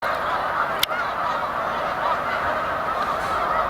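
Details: Large flocks of Snow Geese at a spring migration rest stop on Cayuga Lake, New York, 20 March 2021: a dense, continuous chorus of overlapping nasal honks with no pause, plus one sharp click near the start.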